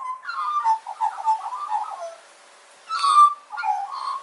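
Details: Australian magpie song of quick, gurgling, flute-like notes tumbling up and down, a long run of short warbles, a brief gap, then a louder ringing phrase followed by more liquid notes.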